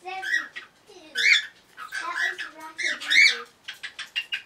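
Cockatiels whistling in bright, warbling bursts with sliding notes and a few harsh squawky edges.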